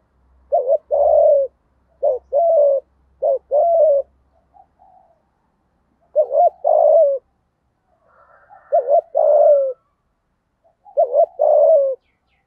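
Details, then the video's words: Spotted dove kept as a decoy to stir up other doves, with a 'giọng thổ' voice: repeated mellow two-part coos, each a short note and a longer coo, given roughly every one to three seconds, with a low hum at the start. "Chim Cu Mồi Kích Bổi, cu gay giong tho cuc dinh"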